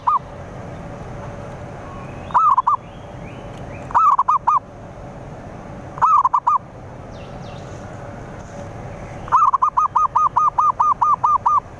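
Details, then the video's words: Song of a zebra dove used to pull in rivals: four short phrases of three or four mellow coos about two seconds apart, ending in a steady run of around ten rapid, evenly spaced cooing notes, with low background hiss. "Pikat Perkutut/Merbuk Jitu Ampuh Menarik Lawan"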